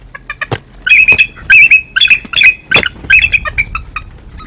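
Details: Bald eagle pair on their Decorah nest in early morning, the female showing dominance over the male after flying in. Sharp, high piping notes run in fast staccato series, with brief gaps and a few soft knocks between bursts.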